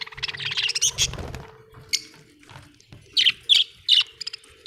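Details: Budgerigars in a home setting: a busy, scratchy warble at first, then a quiet gap and three or four sharp, clipped chirps in quick succession; a steady low hum throughout.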